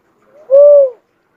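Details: Cuckoo-dove uttering one soft, even coo lasting about half a second, preceded by a faint lead-in note, gently arching then dropping at the end; no other sounds.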